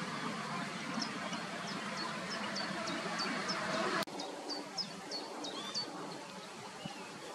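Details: White-tailed eagle family at the nest in Koudum with three young about five weeks old, being fed fresh fish: a quick run of thin, high yelping notes, about three a second, over a steady wind-like rumble, broken by one sharp click.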